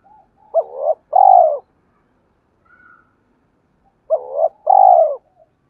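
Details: Two identical spotted dove coo phrases about three and a half seconds apart, each a quick hooked note, a short wavering sound and a long, smooth, falling coo, with silence between them, used to provoke other doves to coo.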